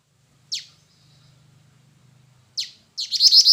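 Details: Black-winged flycatcher-shrike (jingjing batu) gives two sharp downward-swept high notes two seconds apart, then a quick run of bright chattering chirps at the end; a soft low hum lies in between.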